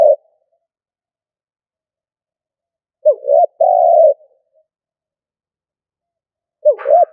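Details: Stuttering coo of a decoy spotted dove: a short coo, silence, then a clipped rounded note and a long level coo, with another brief double coo at the end.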